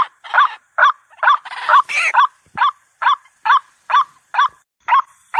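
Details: White-breasted waterhen lure sound: hoarse repeated notes at about two a second, interrupted near the middle by a longer, noisier rasping burst before the steady rhythm resumes.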